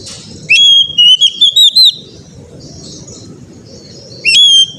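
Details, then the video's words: Whistled Oriental magpie-robin phrase used as training song for young birds: a sustained note breaking into short looping whistles. A thin hiss follows, then another phrase begins. Faint low rumble throughout. "TERAPI KACER BAHAN AGAR CEPAT GACOR NGEPLONG"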